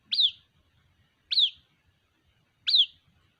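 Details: Three bright, piercing chirps from a white-breasted waterhen chick calling for its mother, each rising sharply then trailing downward, about 1.3 seconds apart.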